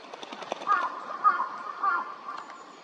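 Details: Eurasian teal at a park pond in Chiba, Japan, in February, where it winters: three short, clear whistled notes about half a second apart, preceded by soft clicking sounds.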